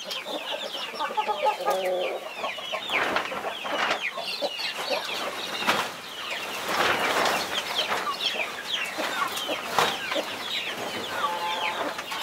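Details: A flock of 21 baby chicks with their protective mother hen; constant high, downward-sliding cheeping, with brief lower clucks early and scattered rustling bursts.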